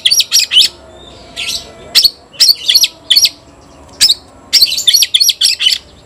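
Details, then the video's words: White-rumped shama calling an opponent to fight, giving short clusters of sharp high ringing notes separated by brief pauses, repeated in steady bursts. "Teriakan KACER panggil lawan tarung"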